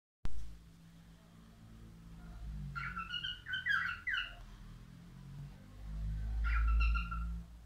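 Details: Male albino cockatiel singing indoors: a short burst of clear whistled notes mid-clip, then a second brief whistled phrase, over a steady low hum.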